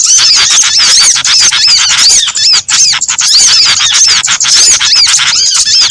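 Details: Combined calls of small birds meant to lure them into traps: rapid, overlapping high-pitched chirps and arching squeaks forming a loud, continuous twittering mass.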